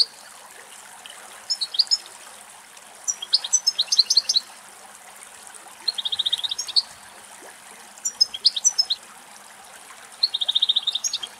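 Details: Wild European goldfinch somewhere in Greek nature, singing happily after finding plenty of food: short bursts of bright, tinkling, twittering notes with rapid buzzy trills, coming in separate phrases every couple of seconds over a faint trickle of water.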